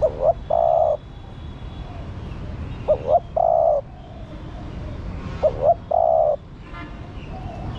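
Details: A female spotted dove gives calls meant to stimulate the male. Three regular phrases, each two short rising notes then a long, even coo, come about every two and a half seconds over low noise and faint other birds.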